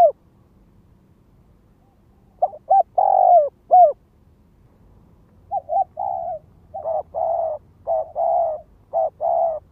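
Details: Spotted dove calling as a lure bird: repeated cooing phrases of short notes and longer rolling coos, the later phrases run together in a faster sequence, no other sounds.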